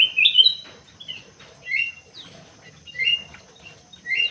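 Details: Crewet kept in an aviary, giving bright high chirps and short sliding whistled notes in bursts with brief pauses between phrases.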